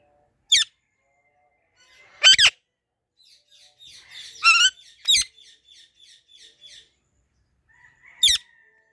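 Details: Ringneck parrot making sharp shrill chirps and a wavering squawk, with soft rhythmic ticking notes between calls and a final loud chirp.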